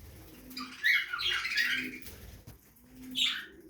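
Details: Budgerigars feeding in a backyard aviary produce a long scratchy warbling phrase, then after a pause a shorter squeaky burst; a soft low hum persists beneath.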